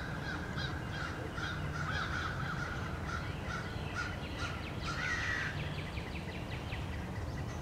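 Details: American crows mob a male bald eagle near its nest on 30 March 2016, with overlapping raspy caws throughout and one louder drawn-out call near the middle.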